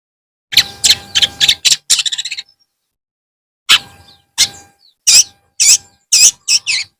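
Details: Long-tailed shrike singing in the afternoon: bursts of harsh, buzzy, scratchy notes with a rapid rattling run, a pause, then spaced rasping notes repeated roughly every half second, over a faint steady hum.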